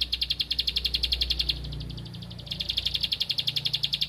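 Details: Bar-winged prinia (ciblek padi) searching for a rival, firing bursts of quick, high, metallic chips, a pause of under a second between two bursts, with a low background hum.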